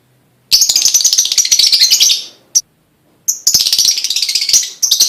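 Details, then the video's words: Prompting song of a lovebird, played to set other lovebirds singing: long rasping, rapidly pulsed buzzy trills broken by a brief chirp and short silences. "full bunyi pancingan love bird"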